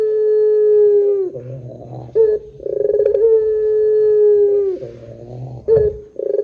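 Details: Repeated coos of a Barbary dove, the long 'pelung' type meant to lure other doves into calling; sustained level hoots broken by low grunting notes and quick stuttered pulses, recurring roughly every three seconds.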